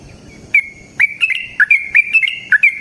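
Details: Yellow-vented bulbul singing a long rapid-fire 'ropel' phrase, used as a lure for other birds. It starts after a half-second pause, then gives quick liquid chirps and slurred whistles in tight clusters.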